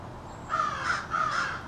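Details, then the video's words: Two hoarse caws, one after the other, from a small family of American crows having an extended conversation in a backyard. "American Crows Calling"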